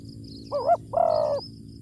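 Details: Deep-voiced spotted dove, a ground decoy bird in the ku ang kham cooing style, gives one phrase: a short wavering two-part note, then a long steady low coo. Faint high ticking sits above it.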